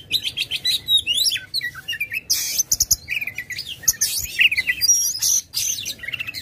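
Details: Aggressive white-rumped shama, tail spread, in rich continuous song used as a lure to get silent birds singing: fast varied whistles, sweeping slurs and buzzy trills crowding high pitches without pause.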